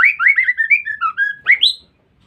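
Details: Female white-rumped shama giving a lure call to provoke males: a rapid run of short, chirpy, mid-pitched notes that wobble up and down, then two quick higher rising notes, ending in silence.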